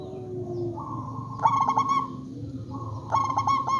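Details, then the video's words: Local zebra dove lure call to set other zebra doves calling: a soft lead-in note, then a bright rolling series of clipped coos, repeated once more after about a second and a half, with faint low hum beneath. "Perkutut lokal gacor RAJA PIKAT ahlinya bikin semua burung Perkutut gacor Nyaut"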